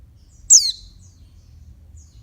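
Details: A single high, sharp, downward-sweeping note from a female oriental white-eye calling to excite males, followed by quiet with only a faint low hum.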